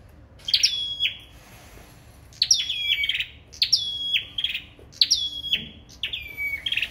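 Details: Sâu đầu đỏ bird in competitive singing: five loud phrases, each a sharp high note falling into a long steady whistle, then a lower tail, separated by short pauses.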